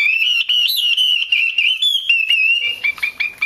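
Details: Female Chinese hwamei chattering to prompt male song: a continuous string of fast wavering notes at a steady pitch, breaking into scattered separate chirps near the end.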